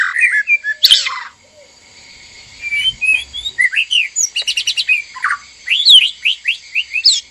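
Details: Captive white-rumped shama pair, male and female together in a breeding cage during mating arousal; a short harsh burst, a pause, then varied whistled slurs and clicks rising and falling through a rich, jumbled phrase.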